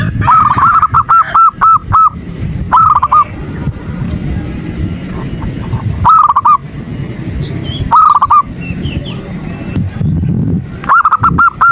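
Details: Female zebra dove calling to a male to rouse him, played as morning therapy for caged males; short bursts of rapid, hooked cooing notes repeat about every two to three seconds over a low background rumble.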